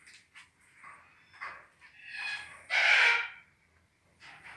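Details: Red-tailed black cockatoo (Calyptorhynchus banksii banksii) gives harsh, grating calls, softer at first, then one loud rasping screech near the end, followed by a quieter one.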